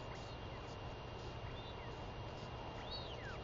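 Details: Female royal albatross chick calling to be fed by her returning mother on 23 May 2021; scattered thin slurred whistles with one stronger arched double note near the end, under constant low wind noise.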